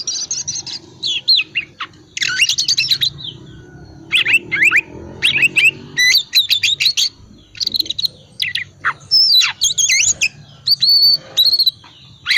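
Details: Oriental magpie-robin of the calm 'dingin' type in ngriwik style, meant to prompt silent magpie-robins to sing: long, lively stream of sharp chirps, buzzy notes and whistled slurs in quick phrases separated by brief pauses.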